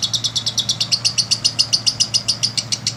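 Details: Lovebird song used to stimulate other lovebirds into long singing: a fast, steady train of high sharp chirps, about seven per second, continuing unbroken for the whole passage over a faint low hum.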